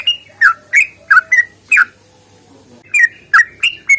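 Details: Sooty-headed bulbul fighting song, used to draw song from other bulbuls. Clusters of sharp, bubbly whistled notes come in two bursts separated by a pause of about a second, with a faint low hum beneath.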